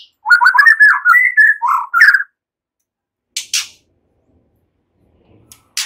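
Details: White-rumped shama in relaxed song with cililin and ciblek (bar-winged prinia) imitations, used as a lure: a two-second burst of quick warbled notes, then mostly silence broken by a few faint high swishes.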